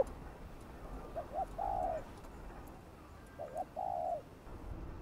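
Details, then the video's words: Distant spotted dove coo used to lure wild doves, two phrases of a double short hoot and a longer falling coo, heard over steady background hiss and faint rustling. "Tiếng cu gáy gọi thúc gù kích mồi tập bổi, kích bổi ức chế gáy nhanh"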